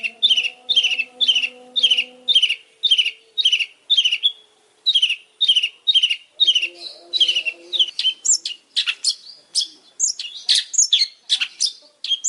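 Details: Long-tailed shrike song: a regular series of rasping chirps about two per second, then shifting into a quicker, more varied jumble of squeaky and scratchy notes, faint low tones early on.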